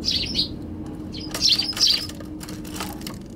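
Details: Eurasian tree sparrows on a balcony in January, suddenly flying away: short bright chirps in small bursts, several close together, with wing flutters and a faint low background hum.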